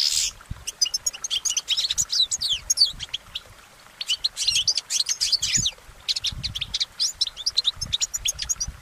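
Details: Goldfinch singing in nature, a long run of rapid high twittering and tinkling notes with buzzy trills, broken by a short pause near the middle before the chattering resumes.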